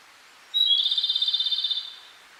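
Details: Energetic wild Japanese robin song at a small Hokkaido lake near Lake Kussharo. A thin high whistle opens the phrase, followed by a quick, evenly pulsed trill lasting over a second, with a calm, quiet background.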